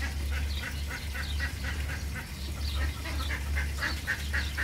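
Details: Egyptian geese giving repeated hoarse honks, several each second, in loose bursts, with a strong low hum underneath.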